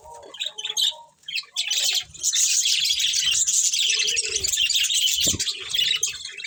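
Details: Breeding pair of budgerigars within a colony, softer scattered chirps and short squeaks at first, then a dense, steady high warbling chatter from many birds.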